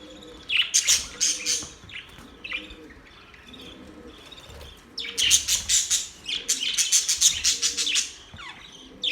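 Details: Budgerigars chatter in two bursts of sharp, high chirps and squeaky twitters, separated by a quieter stretch of soft background warbling.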